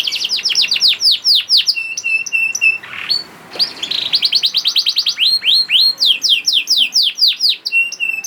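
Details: Canary, young bird, singing as a prompt for reluctant singers: rolling series of downward-swept whistles, flat steady tones, a rough burst, then a fast trill and more swept notes.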